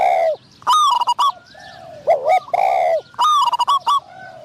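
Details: Spotted doves at a decoy trap, the caged caller luring a wild bird with a middling voice; strong repeated coo phrases, each followed by a cluster of sharp clicks and high chirps, roughly every two and a half seconds.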